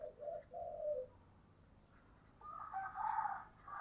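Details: Spotted dove in the giọng thổ song style gives two low, hollow coos, the second longer. A louder, broader, higher call from another bird follows after a pause.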